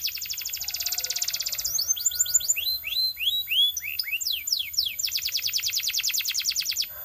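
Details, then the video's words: Belgian canary in song: a dense rapid trill, then a run of looping whistled slurs rising and falling, followed by another fast, steady rolling trill of high repeated notes. "Belgian Canary Singing"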